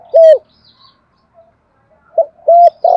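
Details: Dove used as a decoy bird, giving its full set of calls: a loud, steady hooting coo, then quieter soft notes, then two more low coos close together near the end, with a further coo cut off at the close.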